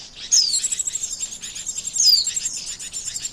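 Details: Oriental white-eye (pleci) lure call for bird trapping: continuous high, buzzy twittering with two bright downward-sliding whistles about a second and a half apart.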